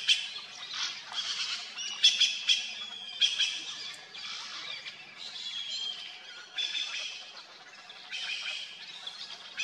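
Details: Red-billed blue magpies, a noisy squawking trio feeding on wild pear fruit in Himalayan trees near Mussoorie; harsh, bursty squawks repeated irregularly, with some thin whistled notes mixed in.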